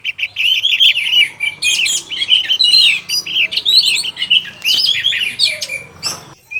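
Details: Afternoon song of an orange-headed thrush (anis merah), used to prompt birds into quick, intense singing: a fast, unbroken stream of sweet whistles, trills and harsh chips, rich and varied throughout.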